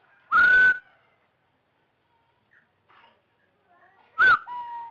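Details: Rufous-throated partridge whistles played to lure birds into a trap: two loud, clear whistled notes about four seconds apart, the second followed by a softer, lower level whistle, with near silence between.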